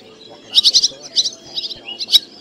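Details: Black swallow with white belly calling the flock, a trapping lure. Short groups of rapid high buzzy chirps, four or five bursts in quick series, over a faint murmur.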